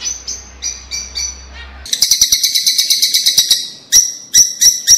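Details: Lovebird calls meant to encourage a pet bird to mate: a few soft high squeaky notes, then a rapid series of loud shrill chirps repeated several times a second, ending with spaced sharp chirps; a low hum underneath at first.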